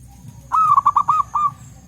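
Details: Local zebra dove in the wild forest, birds calling in turn: one short phrase of six mellow, ringing notes in quick even rhythm, last note slightly apart, over a low background rumble.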